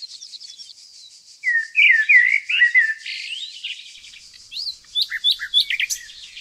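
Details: Nightingale recorded unedited in the green nature of Tonekabon, Mazandaran, Iran: a burst of loud rolling warbles, a pause, then a series of short sharp upward whistles, with a steady shrill insect-like drone throughout.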